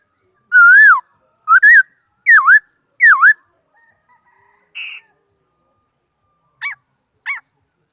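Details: Laughingthrush song from 2018: four loud, clear whistles in quick succession, each swooping up then down, followed by a brief buzzy note and two faint, short whistles.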